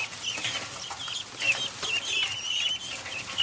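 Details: Excited young helmeted guinea fowl calling in their coop during feeding and watering. Thin, high, squeaky peeps and chirps overlap continuously from several birds, with a steady background hiss.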